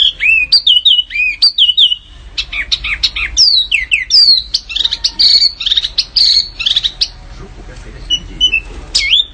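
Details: Canary song intended for training competition birds: dense, varied chirps, sharp slurs and whistled phrases with brief pauses between bursts.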